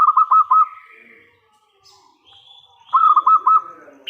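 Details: Lure song of a loud local zebra dove meant to make other doves reply: two phrases, each five fast throaty coos with a trailing note, separated by a quiet pause with faint background chirps.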